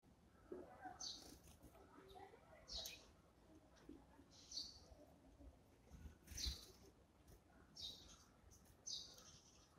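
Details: Eurasian tree sparrow calling while feeding at breakfast time in the morning: short, bright chirps repeated roughly every second, some doubled, over a soft background hum.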